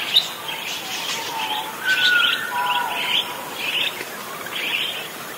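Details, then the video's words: A parakeet chatters in a steady warble of scratchy, buzzy bursts with a few clearer whistled notes, several bursts per second, over faint background hiss. "Suara Kicau Burung PARKIT GACOR"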